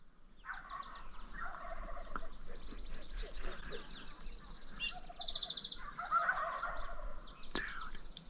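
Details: Spring hunt in Nebraska, Friday afternoon about 30 minutes before dark, on public land: male Merriam's wild turkeys gobble in rapid, rattling bursts, one near the start and another around six seconds, over low rumble and thin songbird notes.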